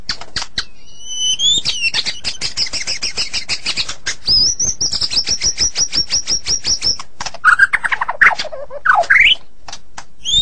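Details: Morning song of a white-rumped shama. Clicks lead into a long, fast, even series of high sharp notes, then low looping whistles and a rising squeal near the end.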